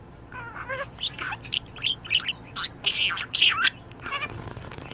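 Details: Cheerful pet budgerigar warbling bursts of scratchy, wavering chirps and short squawky notes, growing busier in the middle and trailing off into softer chatter at the end.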